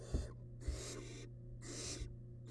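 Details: Wild barn owl nestling in a monitored nest box while feeding on a large rabbit remain: long, harsh, breathy hissing bursts repeated with short gaps, over a steady low electrical hum and a few soft thumps.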